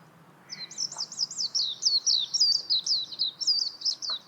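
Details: Warbling white-eye delivering a quick, bright chatter of high slurred notes, each swooping downward, several per second, steady until the end.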